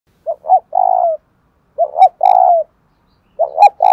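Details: A kept spotted dove cooing in the Vietnamese giọng đồng thổ style: three loud, clean phrases, each two short rising notes followed by a longer, wavering low coo, repeated roughly every one and a half seconds.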